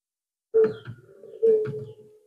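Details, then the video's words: Two short zebra dove coos, each a bright note trailing into a lower hum, sung to tempt rivals; slightly rougher and quieter than the fuller phrases. "PUTER PELUNG JAGONYA PANCING LAWAN"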